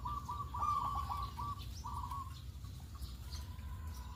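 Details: Zebra dove, local perkutut, calling in the morning as a lure to set other doves singing: a fast run of staccato, throaty coos that trail off into a few softer notes. Faint high chirps from other birds and a low background rumble.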